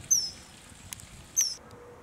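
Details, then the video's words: Common kingfisher recorded in May or January 2024 gives two piercing, high, slightly falling whistles about 1.3 seconds apart, with a faint click between them and a low flowing-water background. "Common Kingfisher ( Alcedo atthis ) Voice"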